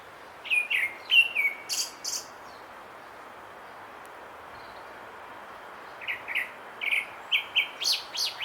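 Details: Grey-backed thrush singing. Two bursts of song: first a run of short, slurred whistled notes with thin, very high squeaky notes, then a pause of about three seconds, then a faster string of rising whistles and sharp high notes. Faint background hiss.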